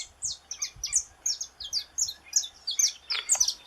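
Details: Saffron finch from Brazil singing a rapid series of very high, sharp chirps that slur downward, repeated about three times a second with slightly varied notes throughout.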